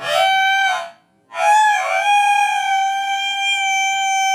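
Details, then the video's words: A rooster crows in a recording slowed four times: one rich harmonic note, a short gap, then a long sustained, nasal, steady-pitched crow that carries on to the end. "Sounds of roosters. How roosters communicate. Slow sounds of roosters."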